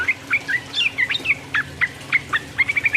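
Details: Yellow-vented bulbul in song used to provoke rival birds; sparse clear chirps and slurs, ending in a fast run of four to five rising notes.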